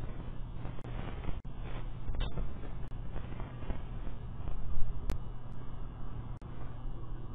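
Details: Steady low hum and rumbling noise with scattered sharp clicks and faint distant traffic; no animal voice.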